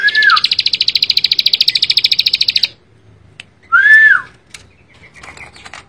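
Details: Bar-winged prinia singing a rapid high trill of closely packed chips lasting over two seconds, then a loud downward-slurred whistle, followed by quieter scattered chirps.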